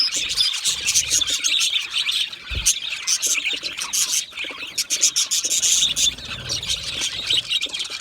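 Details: Budgerigar colony, chirping while happy and comfortable together: dense, overlapping high chirps and buzzy twitters with whistled notes, continuous throughout, with a brief low thump near the middle.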